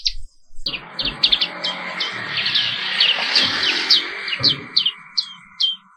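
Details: Black-capped white-eye singing in the morning, a continuous rolling song: quick high chirps and downslurred whistled notes in a steady stream, over a broad low rumbling noise and a faint steady hum.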